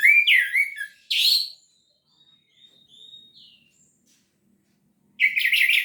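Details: Orange-headed thrush in gacor teler style: loud chattering bursts open and close the passage, with soft thin whistles trailing between them.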